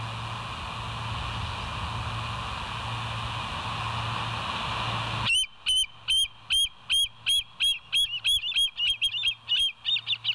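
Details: Bald Eagle on the West End live cam, early morning of 25 September 2023: several seconds of quiet hum, then a burst of about fourteen shrill piping notes that speed up and run together toward the end.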